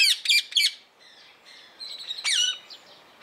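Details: Rose-ringed parakeet of the blue mutation, kept at Opole Zoo, utters three rapid piercing screeches, goes quiet with faint chatter, then gives one more harsh descending shriek.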